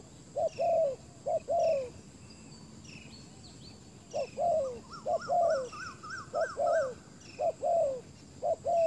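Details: Spotted dove used as a decoy bird to lure wild doves on a ground clearing; low, mellow cooing phrases repeated in bursts, each a short rising note followed by a longer falling coo, with a higher chirping bird calling between them.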